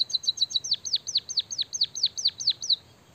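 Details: Canary-style song from a white-headed munia in full voice: a few quick high chips lead into about nine loud whistles that each swoop sharply downward, evenly spaced roughly three per second.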